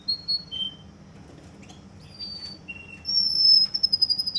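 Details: Scattered whistled notes from a Russian canary in Kuwait, separated by short gaps, then a loud sustained whistle leading into a rapid pulsed trill.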